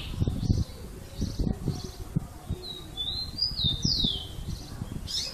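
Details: Rufous-collared sparrow in the "Jesus meu Deus" song style: a moderately loud run of sliding whistles, ending in a long descending note, partly masked by heavy low rumbling and background noise.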